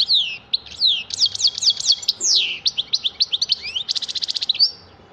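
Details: Varied goldfinch song mixing swooping twittered notes, sharp downslurred chirps and a fast dry buzzy trill toward the end, delivered in a steady rapid flow.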